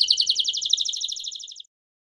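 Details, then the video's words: Domestic canary singing in the campainha style, used for training young and adult canaries: one fast, even trill of bright, high notes lasting about one and a half seconds, then silence, over a faint low hum. "Cantos de Canário Belga Campainha Para Treinamento de Canários Filhotes e Adultos"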